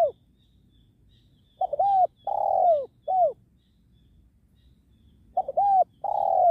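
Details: Spotted dove cooing while wild doves are trapped beside a sacred tree: a brief coo opens, two phrases of short clipped notes each end in a long, smooth, falling coo, and quiet gaps separate them.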